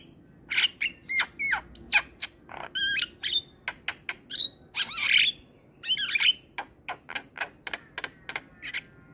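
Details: Energetic Javan myna (jalak kebo) song, gacor style: a long run of sharp clicks, harsh chatters and short rising and falling whistles delivered almost without pause.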